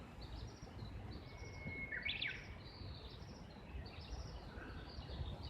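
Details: Japanese bush warbler heard from a house's second floor, seemingly exchanging calls with a nearby companion or mate: a fairly faint held whistle followed by a short burst of warbled notes, amid steady low rumble and scattered distant chirps.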